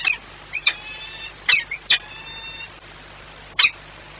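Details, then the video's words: Peregrine falcon courtship at a nest in Płock, Poland, 6 March 2021: a few short, sharp squealing calls with thin whining tones between them, separated by quiet pauses, over a low steady hum. "Piękne zalężanie wersja VIP 6 03 2021 Orlen Płock sokół wędrowny"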